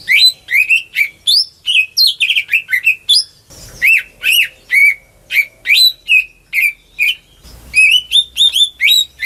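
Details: Greater green leafbird kept at home, song used to get silent birds singing; loud, varied whistles with rapid trills and chattering runs, upslurs and downslurs, a brief pause near the middle.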